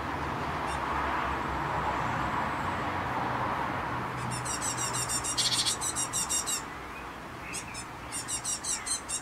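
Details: Young tits just out of the nest on 19 May, flying about and being fed, give rapid runs of harsh, high, buzzy begging notes in two bursts, about three to four per second, over a low rumbling background.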